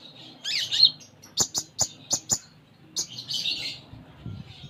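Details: Sunda minivet (konin) in 'gacor full isian' song: a short warble, then five evenly spaced sharp ticks, followed by more high chattering notes.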